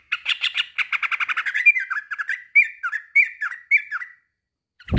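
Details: Male sooty-headed bulbul calling to a rival with a rapid rattling chatter of harsh notes that slows into separate bright downslurred whistles, followed by a brief low thump at the end.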